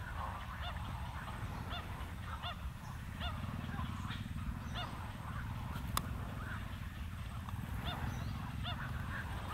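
Pied stilt giving repeated short, nasal yapping notes, several birds calling in loose succession, over a steady low rumble of wind or distant traffic.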